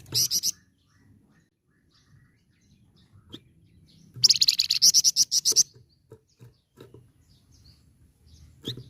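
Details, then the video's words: Vigorous flamboyan bird in nyecret ngerol style, used as a masteran tutor: a short harsh chatter at the start, then a longer run of fast, scratchy, rattling pulses lasting over a second, with soft taps between. "Masteran Burung Flamboyan Gacor Nyecret Ngerol"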